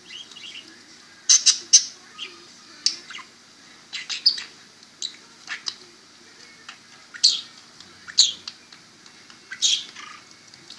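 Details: Pet parakeet chattering as its owner talks to and kisses it. Clicky high chirps arrive in irregular clusters every second or so, with a soft background hum.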